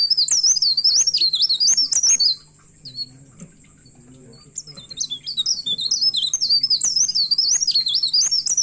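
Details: Vigorous song of a myna looking for a rival: fast, high, twisting whistled notes, a two-second lull with faint chatter, then a growing, dense stream of looping whistles over a low hum.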